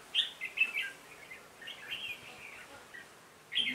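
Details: Red-whiskered bulbul used as a decoy to gather a flock, with 20 caught on 26 November 2017. Chirps come in short groups, then a softer warble, and a loud chirp returns at the end.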